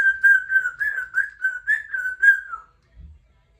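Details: Captive female Congo African Grey parrot, three years old, practising her sounds indoors: a sustained warbling whistle with pulsing rhythm, about four wobbles per second, lasting over two seconds before stopping, followed by a soft low thump.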